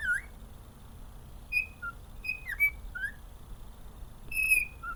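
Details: Cheerful pet cockatiel, male, whistling his melody: bright sustained high notes, a downward-sliding swoop and short lower upswept whistles, spaced unevenly across the phrase against faint background hum.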